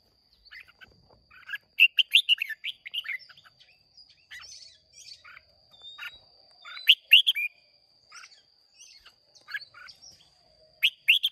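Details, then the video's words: Red-whiskered bulbuls from Hòa Bình, Vietnam, recorded 30 May 2023 in a singing contest. They give bright, quick warbled phrases in short bursts with pauses between. A steady high whine runs underneath throughout. "Chào Mào Hót Đấu Rất Đẹp Rất Hay"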